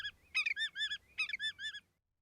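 A Willet gives two loud, ringing bursts of clipped, staccato notes, each a rapid rolling phrase about three-quarters of a second long, pitched high and strident.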